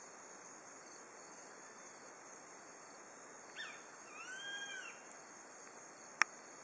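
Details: At dusk on an autumn evening, the first Grey-faced buzzard of the season calls near the Nishiamuro pass, Kakeroma Island, Amami Oshima. One call: a quick sharp note, then a drawn-out arched whistle, followed by a brief click, over a continuous insect chorus.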